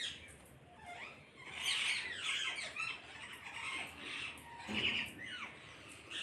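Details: Parrots calling together as a flock: overlapping harsh squawks and screeches, some with rising and falling sweeps, loudest around the second and fifth seconds, over a low background hiss.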